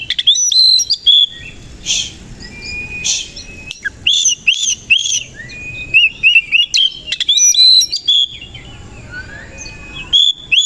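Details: Koci-type Oriental magpie-robin singing in the morning while fluffing up and opening its tail. A fast, varied run of loud whistles, trills and clicking notes continues almost without pause, with short rising slurs between phrases.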